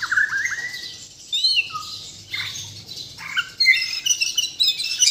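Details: Bornean white-rumped shama, native to Kalimantan, singing full isian: rising whistles, a low slurred note, then bursts of varied high twittering and sharp chirps between short pauses.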